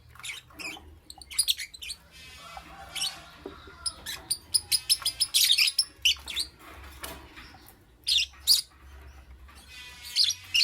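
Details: Lovebird in the morning: bursts of shrill, harsh high chirps and squeaky twitters, some harmonic-laced, coming in irregular clusters with short quiet gaps and a faint low hum beneath.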